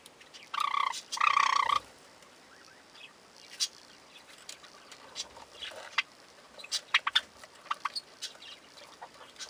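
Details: Young Java sparrows feeding give a loud, harsh chattering burst lasting about a second, followed by scattered short clicks and soft chips against a quiet background.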